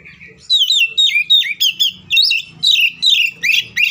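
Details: Agitated fighting song of an Oriental magpie-robin, used to provoke rivals to sing: a fast string of loud, bending whistled phrases repeated in quick succession, with a faint low murmur underneath.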